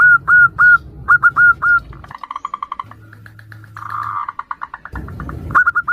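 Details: Female zebra dove, local perkutut, calling the male in an answering duet used as a lure: short clear whistles repeated quickly, broken midway by rough pulsed trilling and a low hum, then whistles again.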